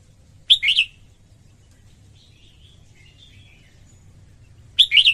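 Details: Female red-whiskered bulbul singing to arouse males: one lively three-note warbled burst, a long quiet stretch with faint soft chirps, then another matching burst at the end; steady low hum behind.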